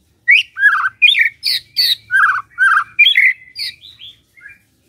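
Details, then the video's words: White-rumped shama song for morning use, meant to get a silent shama singing: varied slurred whistles and harsh chattering notes in quick succession, fading into softer short phrases at the end. "Pancingan PAGI-PAGI AGAR MURAI GACOR❗sekali coba murai DIAM langsung bunyi"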